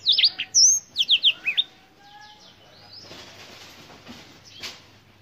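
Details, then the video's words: Black-throated canary giving a short burst of loud, high downslurred whistles and chirps for under two seconds, then only faint rustling and soft background noise with one brief scratchy sound near the end. "BlackThroat - Canary BlackThroat Sound"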